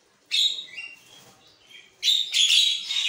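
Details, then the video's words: Javan myna singing in the morning, a recording meant to rouse caged mynas; a loud grating chattering burst, a pause of over a second, then a longer run of harsh raspy notes. "pancingan burung jalak kebo 100% nyaut"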